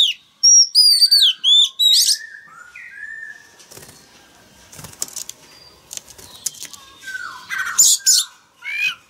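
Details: A male oriental magpie-robin sings loudly to set a young bird singing: quick high whistled notes open the passage, then mostly rustling and tapping noise, with a few sharp high calls returning near the end.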